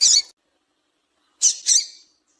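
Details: Female double-collared seedeater calling to get males singing: a short, high, harsh chip, over a second of silence, then a quick pair of similar buzzy chips.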